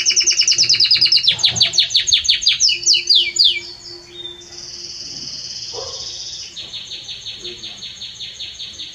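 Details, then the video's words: Loud, warm singing from a Belgian canary: rapid sweeping trills open the phrase, followed by a sustained buzzy rolling trill, then a pulsed, quivering trill to the end. "Canto forte e muito quente deste Espetacular Canário Belga | Canary Singing"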